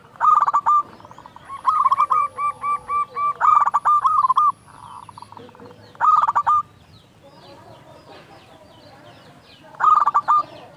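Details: Local zebra dove in full song, meant to rouse quiet doves: repeated short bursts of fast, rolling coos, a longer stuttering run early on, then single bursts roughly every four seconds.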